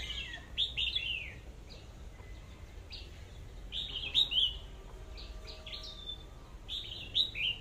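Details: Red-whiskered bulbul delivering lively whistled phrases, each a quick cluster of two to four slurred notes, repeated in spurts roughly every two to three seconds, with faint thin whistles and low hum underneath.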